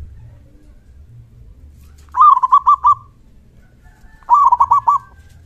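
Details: A loud-voiced local zebra dove, its 'kung' call used to provoke other doves into answering: two rolling phrases of five or six mellow, throbbing coos, roughly two seconds apart, over a low hum.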